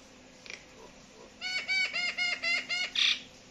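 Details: Two mynas, described as talking, give a run of seven loud, evenly spaced harsh notes, about four a second, each rich and ringing. A single faint note comes before them, and quiet background hiss runs throughout.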